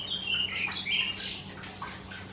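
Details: Karoo thrush's dawn song on a summer morning: a rapid, clear run of warbled, whistled notes shifting up and down in pitch, fading toward the end over a faint low hum and distant chirps.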